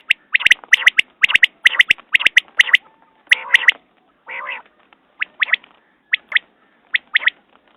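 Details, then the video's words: Rapid series of sharp triple notes from a quail, interrupted by a brief rasping nasal burst, then sparser, quieter paired notes. "Batair Ki Awaz New Quail sounds 2019"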